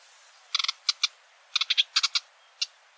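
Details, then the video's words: Sedge warbler (Acrocephalus schoenobaenus), a bird of wetlands and reed beds, singing: dry, harsh chattering notes in quick stuttering bursts, with short pauses between phrases. "Vogelstimmen: Der Schilfrohrsänger"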